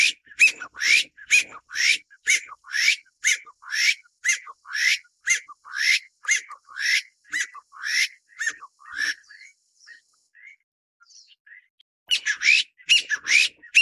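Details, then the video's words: A Taiwan bamboo partridge feeding its chick, in Taiwan's endemic mid-to-low elevation forest, gives a fast run of high, sharp, upswept notes, about two a second, fading briefly before another burst. "台灣竹雞(竹雞)-育雛/ Taiwan Bamboo Partridge-Feeding chick"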